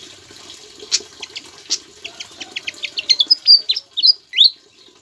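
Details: Javan flycatcher in energetic song with mimicked Ciblek (bar-winged prinia) phrases, meant to tutor other cage birds; sparse chirps quicken into a rhythmic series of short notes, ending in loud swooping whistles, with low hiss throughout.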